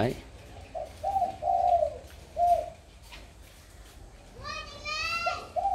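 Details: Tame spotted dove kept as a decoy bird, cooing freely in the afternoon at 4:30. A phrase of low, hollow coos with one long held note, a lone coo, then a brief higher rising cry and another coo at the end.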